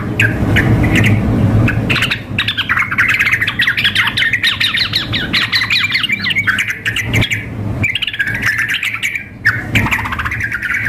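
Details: Female yellow-vented bulbul calling a male, overlaid with a vigorously singing bird for a contest simulation. Scratchy chirps build into dense, rapid bubbling chatter with brief breaks, above a low drone.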